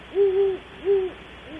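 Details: Great horned owl at Audubon Starr Ranch, California, calling near 3 am: a long, even, low hoot followed by a shorter one, steady in pitch, with a faint third note starting at the end over light hiss.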